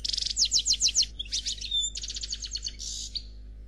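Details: European goldfinch of the 'noir' type singing a flawless khalwi-style song: rapid buzzy trilled notes repeated about every fifth of a second, then a sliding whistle and further dense twittering trills, high and bright.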